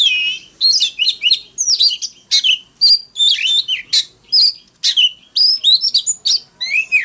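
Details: Oriental magpie-robin decoy delivering an aggressive fighting song to rouse other magpie-robins; a fast, steady stream of short twittering and whistled phrases with rising and falling slurs, barely pausing.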